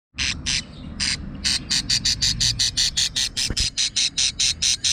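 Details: Budgerigar chicks, described as quarrelsome, give harsh, raspy calls in a fast, uneven series of about two and a half per second, each a broad hissy burst, with faint low background rumble.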